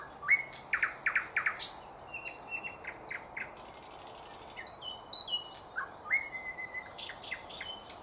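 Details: Song of a thrush nightingale from 2024: loud clipped notes and rising whistles in quick clusters, pauses, then further varied chirps, short whistles and clicks spread through the phrase.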